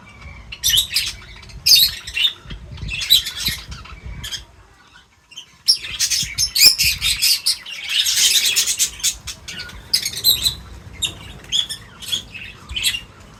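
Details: Feeding birds chatter in bursts of shrill chirps and squeaky notes, separated by short quiet gaps, with a dense stretch of overlapping twittering in the second half.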